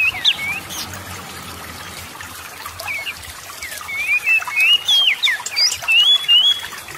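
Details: Oriental magpie-robin singing, used as a lure to make idle magpie-robins sing: a few whistled notes at first, a quiet gap, then a lively burst of rising and falling whistles and twisting phrases over steady hiss.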